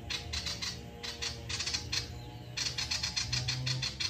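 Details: Male ashy tailorbird singing fully, a song meant to spur other birds into song: bursts of fast, high, sharp notes, a brief pause, then a steadier run of evenly spaced chips over a low background hum.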